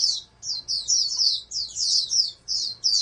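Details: Oriental white-eye from a breeding stock aimed at national contest level, giving a string of quick high chirped notes in clusters about every half second.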